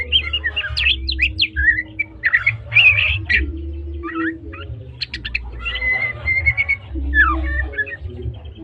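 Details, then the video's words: Medan white-rumped shama in full trotol-style song, delivering rapid mixed phrases of sharp chips, upward-sweeping whistles and scratchy bursts over eight seconds, with a constant low droning hum in the background. "suara burung murai batu medan||murai batu medan trotol gacor"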